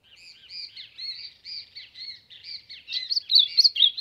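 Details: Ultramarine grosbeak singing to warm up, a continuous warbled run of short, bright whistled phrases that sweep up and down. Phrases grow louder and denser toward the end, with no other clear sounds.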